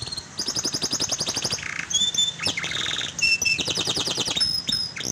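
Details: Canary singing as a lure for a canary that has stopped singing; a quick metallic trill opens, followed by buzzy rolls, clear level whistles and renewed fast trilling.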